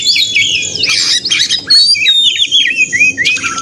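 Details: Oriental magpie-robin (kacer) in a combative song intended to provoke others into singing; sweet looping whistles and bursts of harsh noise over a steady low musical background.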